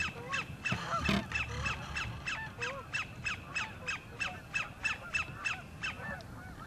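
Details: A sandpiper sings to attract a mate in the northern part of Horicon Marsh, a long run of crisp repeated notes about three per second, with a burst of goose honking near the start.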